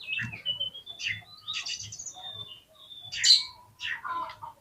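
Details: Oriental magpie-robin song used to provoke fighting birds into responding and fanning the tail. It is a varied mix of clear whistles, slurred notes and bright chirps, with soft low thumps underneath.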